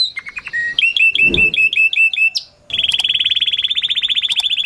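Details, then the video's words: Canary in strong mushti song for mating: short descending chirps, a run of bright double notes with a brief low rustle behind, a pause, then a fast high rolling trill. "تغريد كناري موشتي قوي وممتع"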